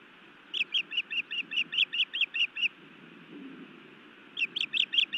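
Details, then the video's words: Evening at a Montana osprey nest, 31 May 2017: the female scolds her mate with loud, sharp, repeated whistled chirps, a run of about twelve, a short break, then another vigorous burst, over faint low rumble. "Feisty Iris scolds then bites Louis a time or two"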